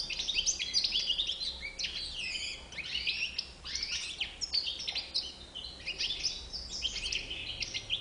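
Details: Bright, rapid twittering song of a European goldfinch, mixing sharp chips, liquid trills and buzzy notes in repeated surges, over a soft background hum.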